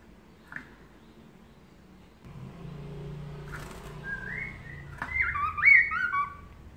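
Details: Melodious laughingthrush master song, recorded to make other birds answer: after faint clicks and a low hum, a clear whistle rises into loud, fluid, swooping notes that tumble down in steps.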